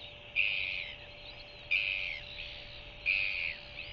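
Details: Begging from a new Royal albatross chick during an evening feeding by its regurgitating mother, 21.1.2023: three piercing calls, each starting sharply then fading, repeated about every 1.4 seconds over a faint steady hum.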